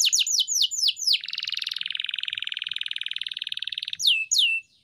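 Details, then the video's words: Canary training song: descending whistled sweeps, then a long fast buzzy roll lasting nearly three seconds, closing with two more swooping whistles. "Masteran Burung Kenari _ CANARY SINGING__ الكناري"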